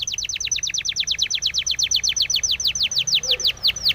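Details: A Spanish timbrado canary sings a training song of crisp, falling whistled notes repeated rapidly and evenly, slowing slightly toward the end.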